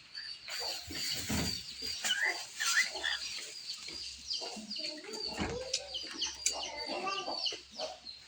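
A cockatiel sings a busy run of chirps, squeaks and short whistled phrases.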